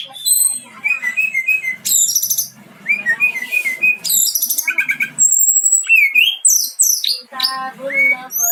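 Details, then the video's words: Brown-chested jungle flycatcher singing a long rolling sequence of varied phrases: whistled notes, buzzy trills, high squeaks and mimicking-like chatter, nearly continuous over eight seconds in a quiet setting. "BURUNG SIKATAN RIMBA DADA COKLAT NGEROOLL PANJAAAANG"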